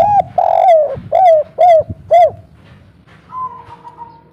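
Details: Spotted dove, local Indonesian bird, giving the three-note "kuk 3" coo style used as a lure to make birds call back: soft, mellow hooting coos repeated about twice a second, then a long even tone.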